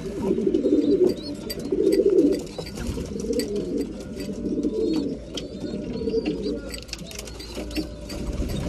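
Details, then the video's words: A flock of breeding pigeons at feeding time, throaty coos rising and falling in waves about once a second, with thin high chirps and pecking clicks in the background. "Breeding pigeons / mealtime"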